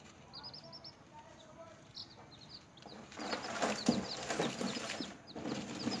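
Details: Newly hatched chicks kept indoors, feeding and playing: thin, high peeps in quick runs of four or five, then scattered single peeps, later masked by rustling and scratching of feed.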